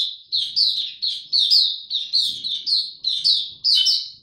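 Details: Oriental white-eye ramping up form with 'tiong aw' style opening, 3 January 2022: loud, clean, high whistled chirps, each sliding down in pitch, repeated in a steady, fast series of about ten notes.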